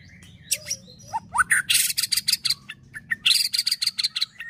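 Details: Captive white-rumped shama in fighter-style song: a few low slurred whistles, then loud harsh rasping bursts alternating with short high chirps, in quick uneven succession.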